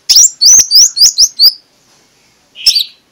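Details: Oriental magpie-robin morning lure song in ngeplong style, to make shy magpie-robins sing. Five quick rising whistled notes in a row, a brief pause, then one lower slurred whistle.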